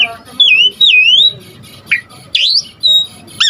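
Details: Singing Asian pied starling on a lure and training recording: a few loud, clear, swooping whistles, some rising and some falling, separated by brief pauses, with a faint low background hum.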